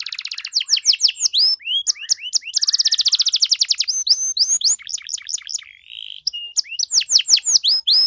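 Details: Canary in full 'gacor' song with ornate 'cengkok mewah' phrasing, used to make other canaries answer: bright high whistled sweeps alternate with fast rattling trills and a brief steady whistled note, rapid and unbroken throughout.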